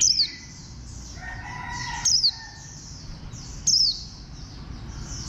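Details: High, ringing notes from a warbling white-eye fall sharply in pitch, repeated three times at uneven intervals, with a constant wash of quieter twittering from other birds.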